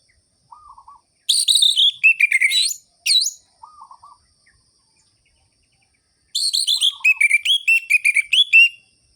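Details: Orange-headed thrush in full, lively song in the ngerol-ngeplong style, a sharp, rhythmic lure to spur sluggish birds of its kind to sing: two bursts of rich, varied, slurred high phrases, with faint low mewing notes in the gaps.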